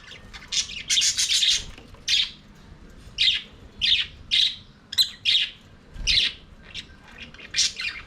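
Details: Budgerigars in an aviary, singing and playing: loud scratchy chirps and short warbled bursts, repeated roughly every half second to second, with quiet gaps between.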